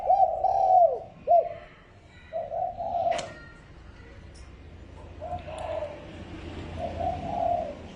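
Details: Spotted dove lure cooing: loud slurred low notes at the start, then softer coo phrases that fade, with a sharp click near the middle.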